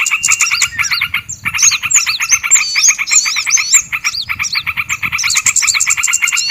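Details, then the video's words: Lure sound of small birds used to attract them: dense rapid clicking pulses layered with twisting high whistles and chirps, nearly continuous with short pauses. "SUARA PIKAT BURUNG KECIL PALING AMPUH"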